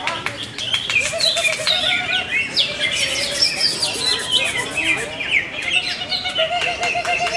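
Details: Greater green leafbird with many contest wins, singing a dense, rapid run of bright chirps, whistled slurs and sharp clicks, high-pitched with quick rising and falling notes and a lower wavering whistle at times.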